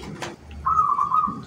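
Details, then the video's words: Local zebra dove from Jogjakarta, a bird sought by collectors, giving a short rhythmic song: a brief lead note then a run of clear low coos held level for about a second. "SUARA IRAMA PERKUTUT LOKAL YANG JARANG ORANG TAU DI BURU KOLEKTOR"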